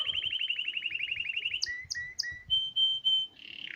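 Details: Hipi canary song: a fast rolling trill of about twenty identical chirps, then three separate two-part notes, a few clear sustained whistles and a final buzzy flourish, with soft low thumps underneath.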